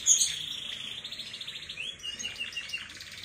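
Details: Canary youngster, about three months, giving a soft continuous high trill that shifts in pitch partway, with a short sharp squeak at the start and faint room noise beneath.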